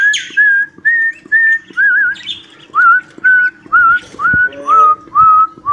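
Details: Cockatiel whistling the Johny Yes Papa song it has learned: a regular chain of about eleven clear, mid-pitched whistled notes, some trilled or wavering, roughly two per second.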